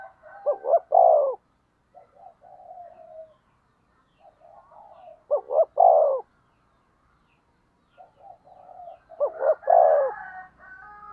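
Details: Decoy spotted dove cooing to draw out rivals: three phrases, each two short notes then a long, rich coo, roughly every four to five seconds, with soft notes between.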